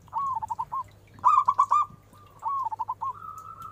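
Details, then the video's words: Big-voiced local zebra dove, a lure sound for quick answers: three quick rolling coo phrases in under four seconds, the last trailing into a long sustained note, with a low hum. "Full Suara besar perkutut Cepat respon!! Nyaut..."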